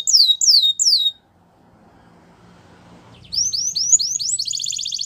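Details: Belgian canary song: three clear descending whistles, a pause of near silence with faint low background noise, then a quick series of rising chirps building into a rapid high trill.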